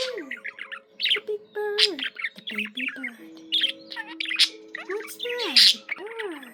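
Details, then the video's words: Pet budgerigar singing indoors: a fast, busy warble of scratchy chirps, clicks and squeaky notes, with smooth gliding tonal whistles that rise and fall underneath, continuing without pause. "Peaceful, relaxing budgie sounds for your bird"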